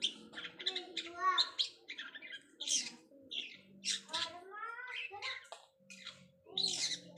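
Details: Long-tailed shrike learning mimicked filler sounds: a varied run of squawky bursts, harmonic rising whistles and scratchy chirps, with a steady low hum in places.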